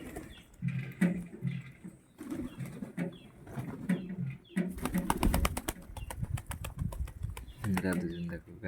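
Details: Pigeons coo in low, throaty, repeated phrases through most of the recording. A burst of rapid wing flapping and clattering comes in the middle, and a final murmuring coo closes it.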